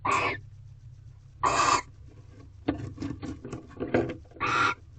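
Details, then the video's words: Barn owls in a nest box at night during mating, female with a rodent brought by the male. Three raspy screeches mixed with scattered clicks and scuffling noises over a low hum. "Barn Owl Mating Second Night Part 11. Female With Rodent"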